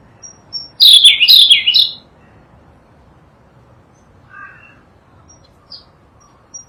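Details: Sunda blue robin, a Java and Sumatra endemic, in a tutor recording: one quick, sweet two-part warbled phrase lasting about a second, then a soft lower note and thin high peeps.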